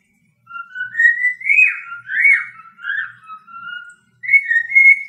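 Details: Indoor pet cockatiel sings a wavering whistled melody with quick up-and-down inflections, then pauses before a final rising whistled phrase.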